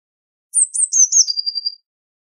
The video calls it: Blue Tit Singing! Blue Tit Calling! Blue Tit Sound! - Herrerillo Común Canto